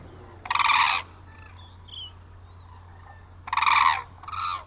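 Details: Hooded cranes, a family of three with a young bird, at a crane observation centre in Izumi, Japan, December 2024: two loud rasping trumpet calls separated by softer distant chirps, then a shorter third call, over low background hum.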